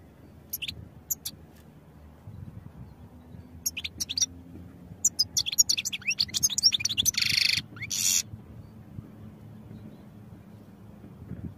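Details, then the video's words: Training song of a goldfinch: scattered sharp chirps and short twittering bursts, then a dense buzzy, nasal passage, separated by stretches of near silence with low room hum. "Goldfinch Songs for Training"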